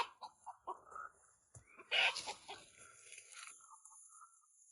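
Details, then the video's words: Chicken crying out in panic, perhaps as it was being dragged away: a loud harsh squawking burst at mid-clip with ragged broken cries after it, fading into quieter calls. A few softer short sounds come before it. "C'est le bruit de la panique du poulet"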